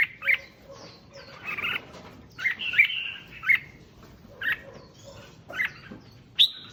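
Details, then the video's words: Red-whiskered bulbul singing, played to rouse other bulbuls; spaced bright whistled chirps and short warbled phrases come roughly every second over a faint low background hiss. "Tiếng Chim Chào Mào Kích Chim Lên Lửa Nhanh"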